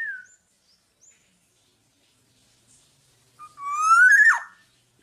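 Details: Black-naped oriole, tame and uncaged, in lively song: faint short whistles, then one loud, rich whistle gliding upward and ending in a quick dropping twist. Otherwise silent surroundings.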